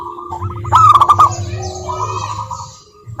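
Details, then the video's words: Local zebra doves, a lure recording meant to make silent doves sing: a loud burst of rapid staccato cooing notes, then softer overlapping coo series from other doves over a steady low hum. "Perkutut Malas Bunyi dijamin NYAUT GACOR LANGSUNG dengar pancingan masteran Kutut lokal ini"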